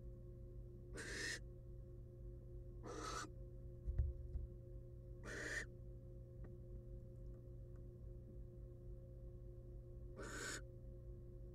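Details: A wild barn owl hen, back on her eggs in a nest box after swallowing a whole rat, utters four widely spaced breathy rasps. A bump sounds between them, over a persistent low electrical hum.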